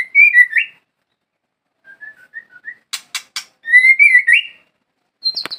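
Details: White-rumped shama singing: loud, clear whistled phrases that warble and rise, softer short whistles in between, three sharp dry clicks, then another rich whistled phrase and a high, thin ending note.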